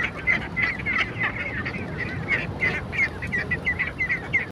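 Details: Short, sharp nasal duck calls follow one another rapidly and irregularly, some overlapping, against a faint low-pitched background noise.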